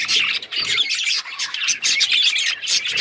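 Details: Budgerigars in loud, busy chatter, with bursts of bright, buzzy warbling notes following one another rapidly and two brief dips in volume.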